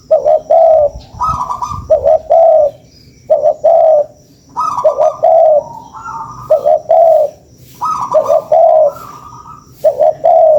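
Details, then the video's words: Spotted dove call played as a lure for catching doves: repeated cooing phrases, each a pair of mellow hoots with a higher rising note, in regular bursts of about one second with short pauses, fairly clear background. "SUARA PANCINGAN BURUNG TEKUKUR"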